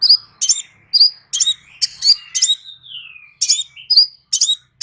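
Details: Crimson sunbird in lively song, dense high chirps in quick succession, each with a bright whistled accent, interrupted by one long downward-sliding whistle before the chirping resumes.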